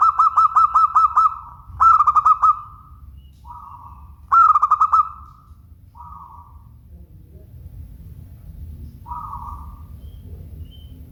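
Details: Local zebra dove with a clear voice, giving bursts of rapid, throbbing coos near the start, at about two seconds and at four seconds, with shorter drawn-out lower notes between and a soft low hum behind.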